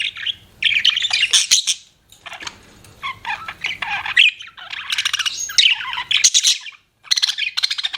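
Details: Budgerigars as pets chirping: lively bursts of twittering warble, raspy squawks and quick high notes separated by short silences.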